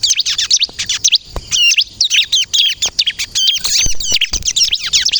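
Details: Bar-winged prinia singing the 'kristal' style to lure and provoke birds to answer: rapid bursts of high, bent chirps and twangy notes in quick succession, with faint low knocks between phrases.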